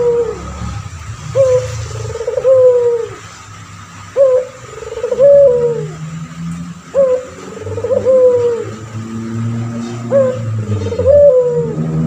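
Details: Male puter pelung turtle dove cooing steadily as a training recording for other birds: clear, short rising-then-falling coos followed by longer descending notes, repeating every few seconds over a low steady hum.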